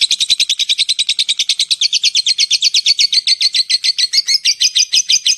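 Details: Loud lovebird 'ngekek' chatter for luring other lovebirds. A dense string of sharp, high, slightly rising and falling notes repeats rapidly and without pause for over five seconds.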